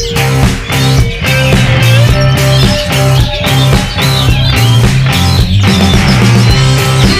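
Loud rock music with guitar, bass and drums fills the whole recording; no animal sound stands out.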